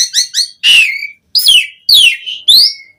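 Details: Asian pied starling song for luring starlings: short chirps followed by loud, drawn-out slurred whistles, each sliding downward, spaced about half a second apart.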